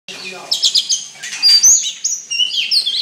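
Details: Oriental magpie-robin, described as a very fierce songster, singing a loud varied run of sweet whistles, short chirps and rising and falling slurred notes, mostly high-pitched and delivered in quick bursts.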